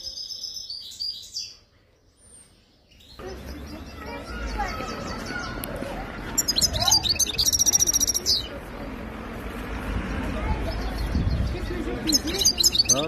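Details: European goldfinch, khalwi-style song from Algeria: short bright twitter at the start, a pause, then rough background noise under bursts of rapid metallic, tinkling phrases midway and again at the close.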